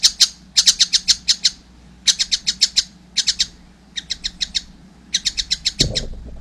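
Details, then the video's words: Juvenile collared kingfisher giving grouped bursts of high, harsh chips, each cluster a handful of quick notes, ending with a brief low thump. "wow masih kecil udah gacor , anakan burung tengkek buto"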